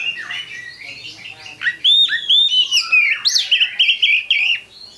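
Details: Oriental magpie-robin (kacer) lure song; a soft warble building into a rapid run of loud clear whistles, slurred upward and downward, closely spaced.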